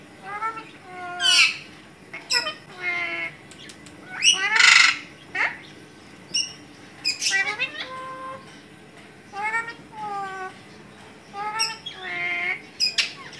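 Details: A talking Alexandrine parakeet speaks in short, nasal, speech-like phrases about once a second, broken by harsh raspy squawks; a low room hum underneath.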